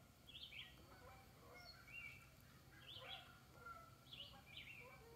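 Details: Red-eyed vireo waking at a foggy dawn in Icelandic State Park, giving short, slurred, high, quick whistled phrases about once a second, with other faint birds calling in the background.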